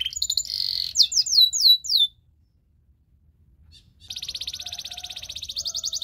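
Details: A Belgian singing canary, described as charming other canaries, gives about two seconds of mixed notes and swept whistles, falls silent, then bursts into a fast buzzy trill.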